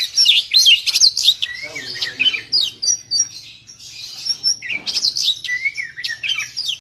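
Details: Oriental magpie-robin singing as a trapping lure: bursts of rapid chirps and whistled slides alternate with quieter stretches, lively and irregular in rhythm.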